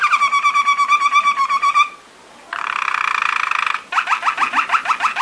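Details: Waterslager canary, the water singer, giving training song: a pulsed rolling trill, a brief pause, a denser buzzy bubbling passage, then repeated quick rising and falling notes.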